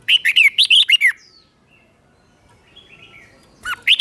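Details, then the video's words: Doubled song of a caged red-whiskered bulbul, meant for young birds to imitate. A lively phrase of six or seven rising and falling whistled notes is followed by near silence, then the next phrase begins. "นกกรงหัวจุกเบิ้ล 1000000% สอนลูกนก ก็อปติดง่าย"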